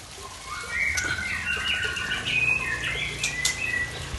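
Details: White-rumped shama of the Tangse type from Aceh singing its strange fill-in song: long level and gently rising whistles woven with scratchy chirps and a few sharp high ticks, continuous and fairly soft.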